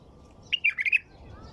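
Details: White-eared bulbul giving one quick song phrase: a bright first note and then four rapid, gurgling, slightly descending and rising notes, with low hum behind.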